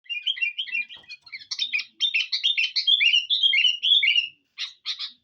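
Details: Sooty-headed bulbul, a lure recording of a lively, chatty bird: dense run of short chirpy notes and slurred whistles, tumbling up and down, then a pause and a few sharp separate chirps at the end.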